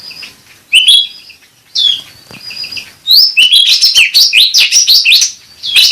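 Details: Grey-bellied bulbul (cucak rante) lure and therapy song: clear whistled notes at first, then a fast run of bright chattering, warbled notes in quick succession.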